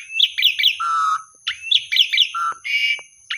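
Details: Rising whistled chirps and a long low flat note from an Asian pied starling, a lure song to restart singing in quiet birds, repeated twice with buzzy notes and a faint steady high tone behind.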